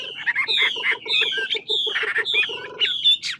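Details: Chinese hwamei, a large old-forest bird from Lạng Sơn, Vietnam, singing a fighting song: repeated descending whistled phrases over a fast train of low pulsed notes, with a loud rising note at the end.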